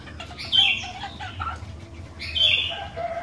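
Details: Sooty-headed bulbul in lively song, used as a lure to get other bulbuls singing: two bright, warbled phrases about two seconds apart, each opening with a sharp whistled note, with a faint low hum underneath.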